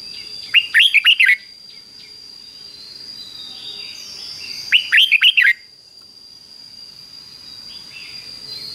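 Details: Caged Red-whiskered Bulbul repeating its doubled fik-jik-fok phrase for young birds to learn: two bursts of bright, tumbling whistled notes roughly four seconds apart, then quiet hiss and a steady high-pitched tone.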